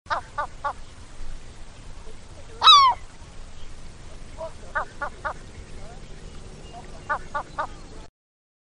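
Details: A herring gull gives one loud, harsh, descending squeal, with short nasal yelps repeated in quick groups before and after it; herring gull.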